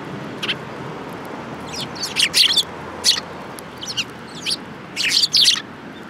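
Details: Group of sparrows gathered at food at a Tenmangu shrine, January 2018, chattering in bursts of rapid high chirps, some doubled or tripled, with brief gaps between clusters.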